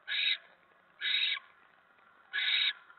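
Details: Nest of a barn owl at 7:50 PM on 10 November 2017 when a mouse arrives: three coarse, breathy screeches, two close together, then a longer gap before the third.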